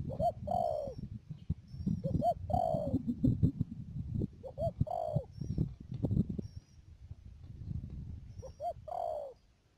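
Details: Spotted dove decoy in a trapping setup at Mương Điều, Đầm Dơi, Cà Mau, 12 March 2019, giving a few clipped-then-drawn-out coo phrases partly buried under heavy low rumbling noise.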